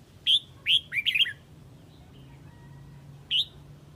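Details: Red-whiskered bulbul from Huế calling its flock: two crisp separate chirps lead into a fast jumble of slurred, falling whistles, then a pause with a soft steady tone before one last sharp chirp.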